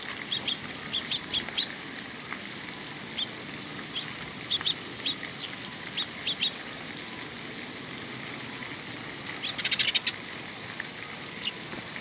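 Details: Young sparrows come for food at a Tenmangū shrine, 18 May 2021; rapid high chirps in bursts through the first seven seconds, then a brief loud rattling flurry near second ten.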